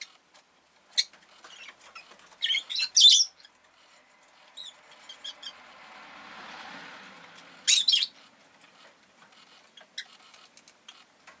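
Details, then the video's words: Pet rosy-faced lovebird at home on the day an egg was laid, giving a few harsh, buzzy chirps in scattered bursts, two louder ones near three and eight seconds, over faint town background noise. "Lovebird Chirping Sounds"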